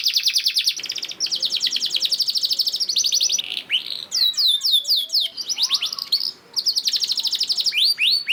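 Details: Canary singing a lure song to prompt other canaries: long dry buzzing trills broken by bursts of steep downswept whistles, then the rattling trill returns.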